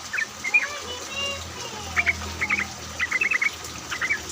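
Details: Yellow-vented bulbul song recorded during rain, played as a lure to prompt other bulbuls to sing. Quick chuckling bursts of bubbly notes come in tight groups against constant rain hiss and a faint low drone.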